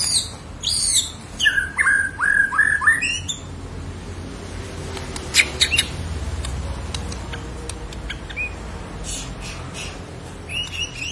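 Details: Borneo white-rumped shama singing actively to lure silent shamas: about five fast, bright upslurred whistles in the first seconds, then mostly steady background hiss with a few faint notes.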